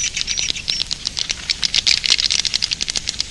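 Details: Edible-nest swiftlets giving a roosting call: a dense, rapid chatter of high, sharp chirps and clicky twitters, overlapping almost continuously, with brief buzzy notes woven through.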